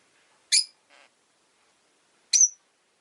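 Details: Rosy-faced lovebird in a window-side cage of five birds, on a winter day, utters two clipped, high, whistled chirps nearly two seconds apart, with a faint low rustle between them.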